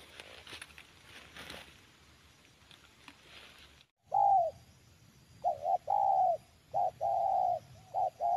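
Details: In the afternoon at a garden plantation, a Spotted Dove, the target bird with a snoring-type voice, gives loud, low, hollow coos in a broken series of short and drawn-out notes, after a stretch of faint background noise.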